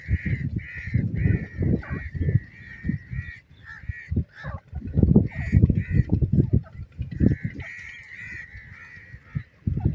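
A partridge gives loud, harsh notes in rapid runs, about three per second, pausing briefly between bursts, over a steady low rumble of background noise.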